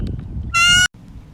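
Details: Spirit, a 24-year-old captive female bald eagle at Auburn's raptor center, trained to fly in Jordan-Hare Stadium, calls during a talk, giving one thin, high, slightly rising whistled note of about a third of a second over low rumble.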